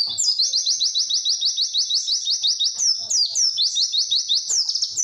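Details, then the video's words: Pleci (white-eye) "witwit" song, long and clear, intended for teaching young birds: a fast even run of high piercing chirps, then a few longer sweeping notes toward the close. "MASTERAN PLECI WITWIT PANJANG DAN JERNIH"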